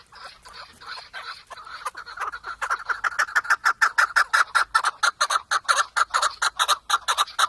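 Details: Chukar partridge call building from soft scattered notes into a loud, regular series of sharp chuk notes, about two per second and speeding up, each clipped and evenly spaced.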